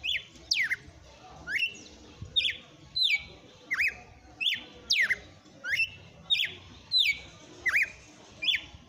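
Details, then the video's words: Red-cowled cardinal singing in the pleasant late afternoon: clear whistled phrases, each a sharp downward slide then a short level or rising note, repeated steadily about every 0.7 seconds over a quiet background. "Galo de campina cantando no final da TARDE"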